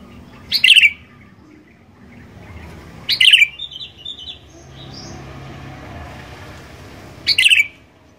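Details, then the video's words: Sooty-headed bulbul singing as a lure to set other bulbuls singing: three loud, sharp, burry whistled bursts, each followed by softer notes, repeated every three to four seconds over a quiet background hum. "Kicauan Kutilang Gacor DOOR, Jagonya Buat PANCINGAN"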